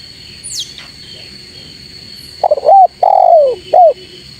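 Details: Spotted dove calling to draw rivals: after a quiet start, one low three-part cooing phrase, a short coo, a long falling coo and a brief final coo, over a steady high electronic whine, with a faint high chirp early on.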